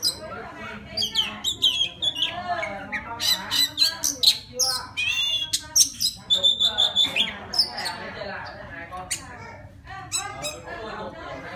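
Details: Wild Oriental magpie-robin singing to call a female: a rich, fast run of clear whistles, sliding notes and sharp high chips, with a steady held whistle near the middle. Low voice-like murmuring runs underneath.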